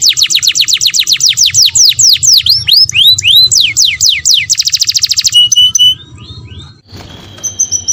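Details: Mating canary song aimed at breeders: long run of steeply falling whistles, a quick buzzy trill, then scattered single notes and a brief pause.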